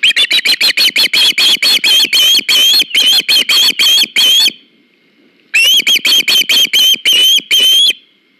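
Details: Ospreys at a nest filmed by live camera on August 21, 2019, as the male arrives with a fish for the female: loud, piercing whistled cries in fast strings of about a dozen, a pause, then another burst.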